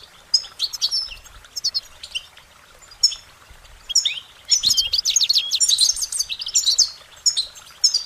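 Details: Goldfinch singing a cheerful, high twittering song: short chirps early on, then a dense, rapid run of bright warbled and trilled notes in the second half.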